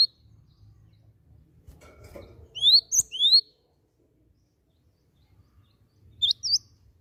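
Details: Timor sparrow calling as a lure to get other birds to sing: a pair of rising whistled chirps midway, then another quick pair near the end, with soft rumbling between.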